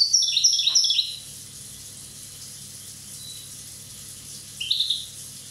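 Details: European goldfinch from Corsica, aged one, opening with a rapid jingling twitter of high notes, then silence and one brief chirpy phrase near the end.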